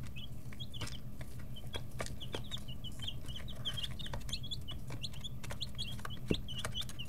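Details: A noisy brood of chicks, 11 to 13 days old, kept in a brooder while growing wing and tail feathers, keeps up a dense chorus of short high peeps, overlapping and repeated, with pecking taps and a low steady hum.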